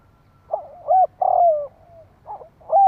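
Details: Spotted dove calling to stimulate rival doves: a rough opening note, a clear rising coo, then a long burry coo sliding downward into a fading tail, followed by two more brief coos.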